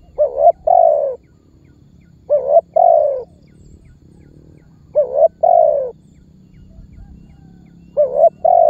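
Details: Spotted dove giving a calling lure phrase used to make other birds call and draw target birds toward a trapper: short paired coos then a longer falling coo, phrase repeated about every two and a half seconds, four times, low hum beneath.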